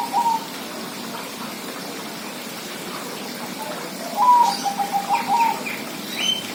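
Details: Zebra dove: a short coo near the start, then after a pause a full song phrase of a higher opening note and a quick series of even coos; scattered high chirps from other birds and faint background noise.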